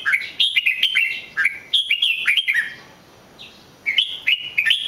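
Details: Red-whiskered bulbul song: quick sequences of bright whistled, slurred notes that jump and drop, a fluent opening run, a quiet gap of about a second, then the melodic phrases resume.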